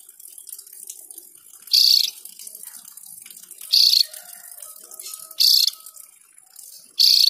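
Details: Javan grey-throated white-eye giving four harsh, clipped bursts spaced about two seconds apart, with steady low hiss and a few faint whistled tones underneath.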